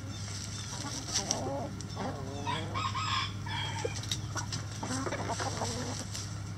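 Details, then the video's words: Crowing rooster in a chicken coop: a held, harmonic crow near the middle, amid a busy background of hen clucks, pecking sounds and a constant low drone. "Chicken Coop Relaxing Sounds Rooster Crowing"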